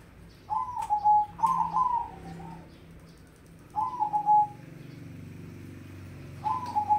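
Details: Mocha-coloured crossbred zebra dove singing vigorously. Three separate phrases of fast, bubbling coos end in a drawn-out note, with quiet gaps of a second or more between them.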